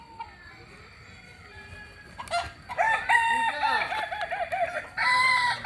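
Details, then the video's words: Kokok Balenggek rooster from Solok, West Sumatra, Indonesia, giving a long crow broken into several arched, stepped syllables after a quiet start, then a second crow begins near the end. "Ayam kukuak balenggek asli solok sumbar"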